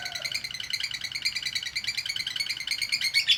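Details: Konslet chattering from a female lovebird used as training audio: a continuous stream of quick, scratchy, high chirps at an even pace, dense and unbroken throughout.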